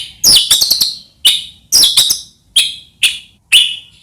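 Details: White-rumped shama, Medan type, singing in a loud, energetic state, played to provoke other shamas into singing: six sharp, high chirped notes with quick ringing trills, spaced about half a second apart.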